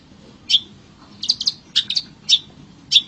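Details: Wild long-tailed shrike singing in nature: sparse sharp, scratchy high notes, single and paired, spaced about half a second apart, with a faint low hum underneath.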